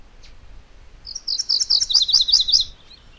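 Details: A single song from a MacGillivray's warbler over soft background hiss: about a second and a half of quick, sharp, high chirps running into a lower, buzzier tail.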